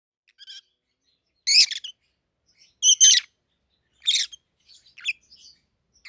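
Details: Pair of captive peach-faced lovebirds, a red-headed green opaline and a red-faced dark green, 7-8 months old, raised together since hatching. Sharp shrill chirps in short separated bursts with faint twittering between them.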